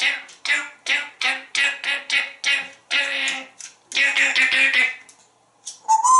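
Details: Talkative male African grey parrot kept at home in Texas, hatched in 1997, performing a song and dance: rhythmic run of about a dozen repeated voiced syllables like 'doo doo', a quick busier burst, a pause, then a short rising note.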